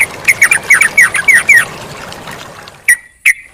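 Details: Sooty-headed bulbul with flowing water in a bird-training recording: a quick run of about seven bubbly, down-slurred notes, then a pause and two isolated clear notes, with running water in the background.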